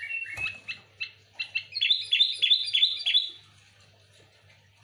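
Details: Sooty-headed bulbul in lively song used as a lure: a rapid, evenly repeated series of short chirping notes building into a dense, fast bubbling run, then quiet and one final sharp note.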